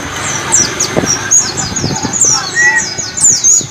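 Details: Ngalas-style "wit wit cer" white-eye song meant for teaching pet birds: spaced, bright downslurred chips repeated about every third of a second, plus one short mid-pitched whistle and muffled thumps.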